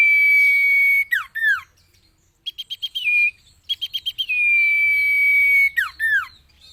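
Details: A common iora sings for cage-bird training: a long flat whistle, descending slurs, then quick series of staccato notes leading into another sustained whistle and further falling notes.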